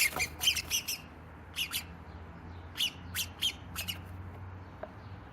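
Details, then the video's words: Several sparrows in a noisy squabble inside a cat house give sharp, harsh chirps in irregular clusters of two to four, about eleven notes in five seconds, over a faint low hum. "Noisy sparrow drama"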